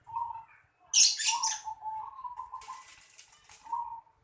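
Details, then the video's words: Zebra dove in a yard: a soft coo, then a loud burst of flapping wings, followed by a long, steady rolling coo and one more short coo at the end. "Suara burung perkutut di halaman rumah"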